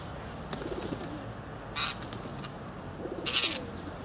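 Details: Rose-ringed parakeet in England giving two harsh, broadband screeches about a second and a half apart over low, steady background rumble.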